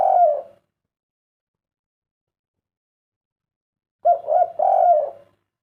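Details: Spotted dove in the three-note 'kuk 3' cooing style: the tail of one low mellow coo opens, then after several seconds of silence comes a full phrase of three soft hooting notes, the last longest.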